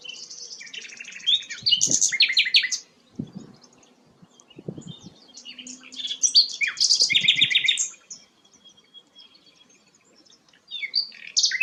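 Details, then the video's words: Rare sikatan londo flycatcher singing loud bursts of high chattering and twittering notes, separated by quiet gaps with faint low knocks. "burung langka sikatan londo"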